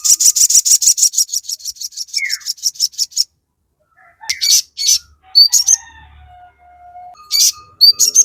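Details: Crested jay, kept as a songbird, singing a full chattering song used as a lure to make other birds respond: a fast run of sharp high chips about five per second, then scattered whistled notes and upslurs.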